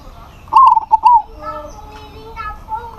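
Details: A local zebra dove singing to call a rival, which responds: one loud, clipped phrase of rapid wavering coos, followed by fainter drawn-out tonal sounds in the background.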